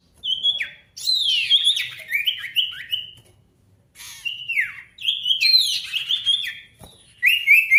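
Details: Loud sirtu lure song to get silent birds singing and answering a rival: whistled falling and zigzag notes in long phrases, interspersed with scratchy noisy elements.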